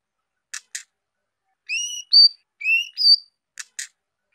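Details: Young female white-rumped shama singing to stimulate males: paired clicks, then four clear whistles alternating lower and higher, some rising, then two more clicks.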